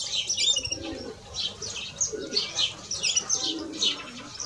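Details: European greenfinches, male and female, twittering in quick, bright bursts of high chirps and trills about every second, with a soft, low murmuring underneath.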